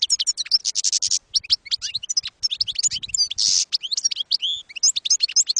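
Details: European goldfinch, campero-style song for training young birds: busy, liquid twittering with short buzzy rattles and sliding whistled notes, delivered almost without a break.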